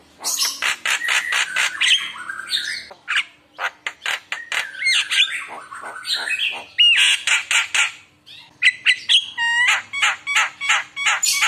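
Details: Javan myna singing a gacor lure song rich in isian phrases, meant to make other mynas answer. A long, dense stream of harsh chattering notes, squawks and interleaved whistled slurs, barely pausing.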